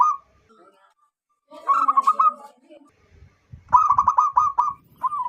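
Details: Wild local zebra dove, kept as a loud-voiced lure bird for trapping doves: loud bursts of rapid, stuttering, trilled cooing in two main phrases about two seconds apart, with a few soft thumps in the background.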